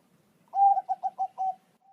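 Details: Zebra dove, Bangkok strain, singing a tutor phrase meant to draw replies from pet doves: a long opening coo followed by four quick rounded coos and a held closing note, all at one steady mid pitch.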